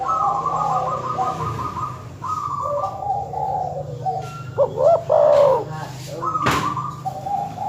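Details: Dove calling in a lure recording meant to anger rival birds: a brief run of mellow, wavering coos near the middle, set among a steady series of short repeated chirping notes and a low background hum.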